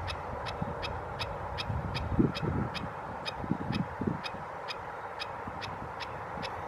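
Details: Black-necked stilt calling at San Elijo Lagoon at 7:03 am on 16 July 2016, a steady run of sharp, yapping notes about two or three per second, over a low rumble of background noise.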